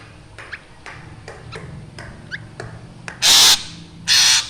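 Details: Black drongo calling actively: faint ticking notes and a brief sliding whistle, followed by two loud, rasping, broad screeches close together.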